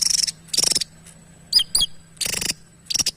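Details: Javan tesia in lively song: short buzzy rattling bursts alternating with two quick, sharp, high whistled notes that sweep downward, separated by brief pauses.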